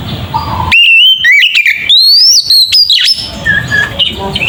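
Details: Oriental magpie-robin singing in the ngeplong style, used as a lure to provoke other magpie-robins. Loud, clear whistled phrases start after a quiet, hissy opening, with sweeping rising and falling slurs and sharp upward flicks, then fade into softer chirping.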